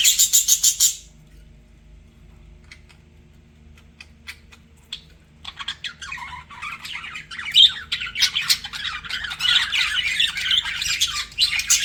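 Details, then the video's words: Pet budgies flirting: a loud burst of high scratchy chirping opens, a near-silent stretch follows with faint clicks, then dense warbling chatter of mixed chirps and squeaks builds and continues to the end. "BUDGIES FLIRTING"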